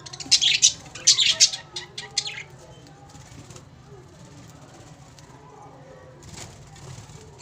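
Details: A pair of budgerigars in a home bird setup: quick bright chirps come in three close bursts at the start, then fade to near silence with only a faint chirp late on.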